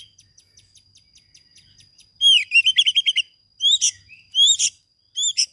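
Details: Oriental magpie-robin master song with filler phrases, used to coax silent birds into singing. Faint regular ticking, then a loud quick run of descending whistled notes followed by separate sharp, ringing slurred calls.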